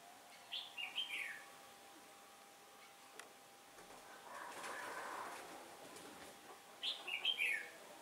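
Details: Red-whiskered bulbul acting as a decoy, singing competitively to entice wild birds into a trap, 15 October 2017; warbled descending phrases open and close the passage, a soft rushing noise in the middle.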